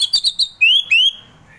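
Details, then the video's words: Brief orange-headed thrush phrase in the relaxed ngeplong style: three quick chirps, then two long clear whistles that rise smoothly in pitch. "Kicauan Anis Merah || Ngeplong Santai"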